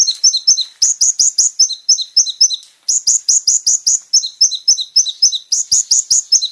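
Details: Varied Van Hasselt's sunbird song meant for training caged birds: quick, jerky phrases of high twittering notes alternating between two pitches, delivered in fast rhythmic bursts with one short break.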